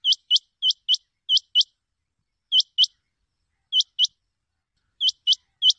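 Rain Quail giving sharp, high, metallic notes in quick doubled pairs, repeated after short pauses, against a silent background.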